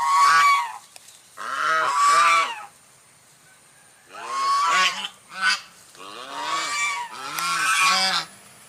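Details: White swan producing clustered nasal honks, two or three per burst, with a silent stretch of about a second and a half before the calling resumes.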